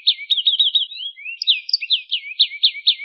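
A canary sings a fast, bright run of high repeated notes, breaking into quick chirped trills and sliding whistles with no other sounds.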